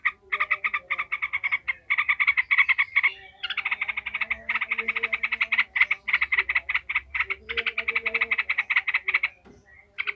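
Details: Yellow-vented bulbul in an agitated, emotional ngekek outburst, used to build fighting spirit in other bulbuls: dense runs of rapid, harsh pulsed notes in long bursts with short pauses, over a faint low steady hum.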